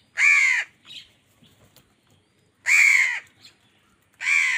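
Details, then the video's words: Angry crow calling during a fight with wild birds for food; three long, harsh, drawn-out caws separated by quiet gaps, with faint soft chirps in between. "Angry kawa ki awaaz"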